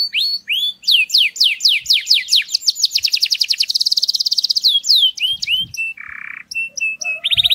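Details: Canary song meant to arouse females for breeding: bright descending slurred notes repeated rapidly, speeding into a dense, high, rattling trill, then scattered chips, a brief buzzy burst and steady whistled notes.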